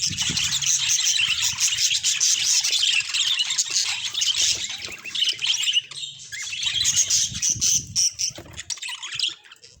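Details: Budgerigars in an unedited natural recording, a dense, continuous high warbling chatter of many overlapping chirps and squawks that eases and thins out over the last seconds.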